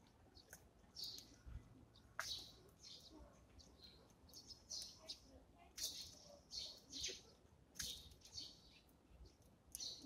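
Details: Eurasian tree sparrows at their morning feeding, giving short high chirps and twittering notes in loose bursts against a low background hum.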